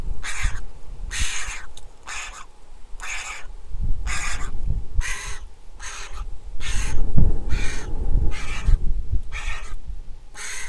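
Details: Young Griffon vulture begging for food at its nest in Israel, filmed by nest camera on 23 July 2021 after hatching on 22 April: a steady series of hoarse, rasping calls, roughly four per second's span, over deep rumble.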